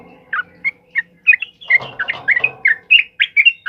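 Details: Ropel uplik song of a sooty-headed bulbul, loud master material for other birds: crisp whistled notes, sparse at first then quickening into a rapid run, over a faint low hum and a short rough noise.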